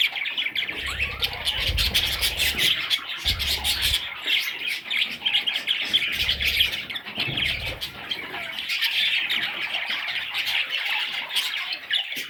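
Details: Raspy, high squawking from a group of budgerigar chicks runs steadily on, broken by several dull low bumps in the first half.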